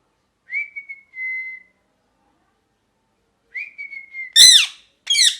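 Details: Parrot repeating a clear whistled note that drops slightly, twice with a long silent gap, then ending with loud grating squawks.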